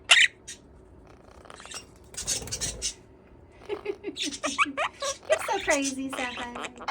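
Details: A pet male Quaker parrot (monk parakeet) talking, chattering in raspy, speech-like phrases such as "buddy" and "bye-bye", broken by sharp squawks.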